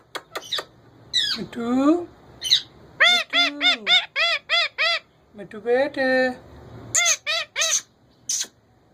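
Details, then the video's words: Male ringneck parrot talking; a run of harmonic-rich, speech-like syllables, some sliding, others clipped and repeated in quick rhythmic bursts, with pauses between phrases. "Ringneck male talkking"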